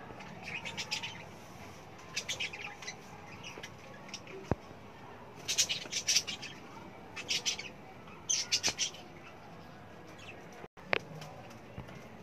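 Budgerigars give bursts of bright, scratchy chirps and warbles in short clusters, with soft background noise.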